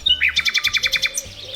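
A nightingale's song phrase: a fast, even run of about ten bright, high notes in one second, closing on a single thin, higher note.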